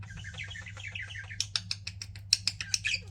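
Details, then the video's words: Pet budgies chirping: fast warbling chatter that turns into a series of sharp clicking chirps about every fifth of a second, with a steady low hum underneath. "CUTE PET BUDGIES CHIRPING"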